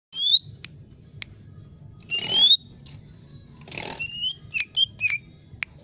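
Lesser green leafbird song of high, sliding whistles and sharp chips, broken by two harsh, scratchy bursts, over a faint low hum.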